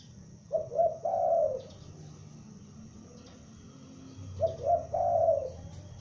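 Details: Young spotted dove kept as a lure calls in two matching low phrases around four seconds apart, each two clipped coos and a long fading coo, with soft hum in the background.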